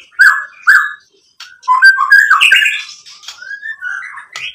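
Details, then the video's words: White-rumped shama song meant to lure other birds into replying: two loud paired whistled notes, a pause, then a tumbling mix of whistles, trills and clicks ending in rising slurs. "SUARA MURAI BATU Untuk Memancing BUNYI jadi NYAUT GACOR"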